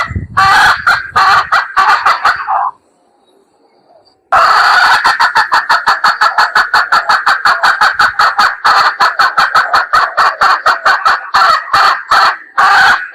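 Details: Red junglefowl hen, wild, calling as a lure: dense strings of short, clipped cackling notes repeated several per second, broken by a silent pause of about a second and a half before the rapid series resumes.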